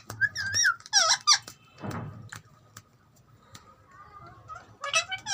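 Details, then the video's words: Green ringneck parrot, a rose-ringed parakeet, kept as a talking pet indoors, giving bursts of squeaky, wavering, up-and-down notes near the start and again at the end, with quieter clicks and rustling between. "talking parrot"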